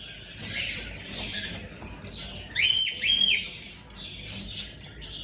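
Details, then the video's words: Cockatiel chicks bred in captivity, 5 June 2025: harsh, raspy hissing calls in rapid bursts, with two clearer whistled notes near the middle. "Cute cockatiels babies"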